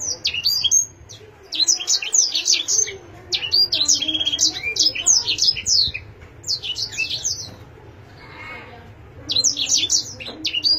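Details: Canary kept as an ornamental bird delivers bursts of quick high twittering and trilled phrases, breaking off into quiet pauses around the middle and near the end before resuming, with a low background hum.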